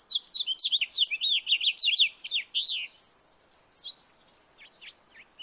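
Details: House finch singing in a backyard: a fast, jumbled warble of bright, slurred, rising-and-falling notes for about three seconds, then quiet with a few scattered short chirps.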